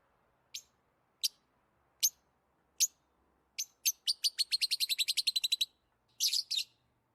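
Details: Lovebirds chirping when playing, eating or excited: single sharp high chirps about a second apart speed up into a rapid, even trill of roughly twenty chirps, followed by a brief harsh, buzzy double chirp.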